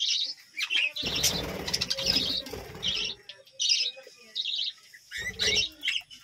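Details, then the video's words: Budgerigars in a village-home colony chirp in high, scratchy bursts, while low rumbling and fluttering sounds fill the stretch in the first half. "বাজরিগার পাখির ডাক ও কিচিরমিচির গান"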